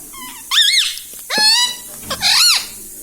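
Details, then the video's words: Pet green ring-necked parrot talking in a room: three loud harmonic syllables with arching, wavering pitch, each about a third of a second long, separated by short pauses. "Mummy bolo mothu || mummy ka pyara tota || bolo mithu mithu"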